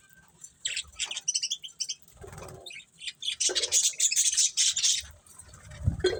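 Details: Budgerigars chirping, with bursts of high scratchy twitters separated by quieter stretches, a dull low rustle or thump in between, and a loud run of fast buzzy chatter in the middle.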